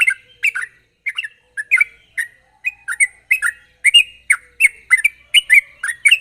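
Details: Sooty-headed bulbul in sharp rapid song, a lure to get untrained birds calling quickly: continuous chain of liquid chattering phrases, slightly harsh, quickening toward the end.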